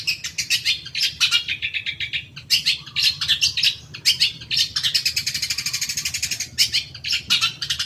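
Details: Long-tailed shrike lure meant to trigger a fast, excited reply from caged birds: a long run of rapid, harsh, buzzing notes, shifting in pitch and pace, nearly continuous throughout.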